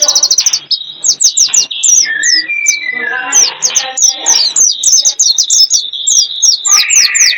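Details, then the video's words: Bird lure from Indonesia for pulling in wild birds: a burst of very fast chirps opens, then sharp downslurred high notes repeat steadily alongside shorter warbled phrases. "Pikat ampuh,untuk pancingan burung liar"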